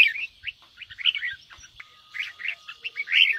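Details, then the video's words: Red-whiskered bulbul in the fast 'ché' singing style, used to stir another bird into singing: bursts of bright, warbling whistled phrases separated by short pauses, with a faint steady tone in the second half and a few soft low thumps. "Chào mào ché kích bổi căng lửa/kích chim yếu lửa nhanh ra âm/Tiếng kích chào mào nhanh ché"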